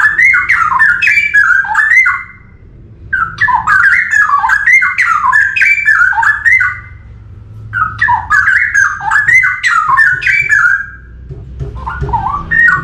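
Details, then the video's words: Straw-headed bulbul singing in the forest: loud, rich, bubbly whistled phrases that tumble up and down, each about two and a half seconds long, separated by short pauses, over a faint low hum. "KICAUAN CUCAKROWO HUTAN"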